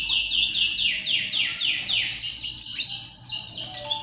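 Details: Male canary song used to prompt other males into singing: a rapid series of clear whistled notes each sweeping downward, about four per second, followed by a higher, faster run of slurred notes.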